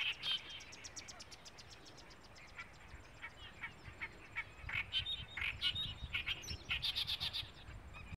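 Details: Clamorous reed warbler (Acrocephalus stentoreus) at Yadgiri gives harsh, chattering notes in quick bursts, about four a second, rising to a louder burst near the end; faint background hiss.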